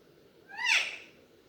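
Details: Single loud, harsh squawk from a pet Alexandrine parakeet, rising then falling and rich in overtones, in a quiet indoor space.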